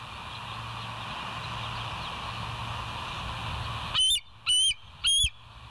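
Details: Bald eagle on the West End nest cam, morning of 28 August 2023: four seconds of steady hiss and low hum, then three loud, high, whistled notes about half a second apart.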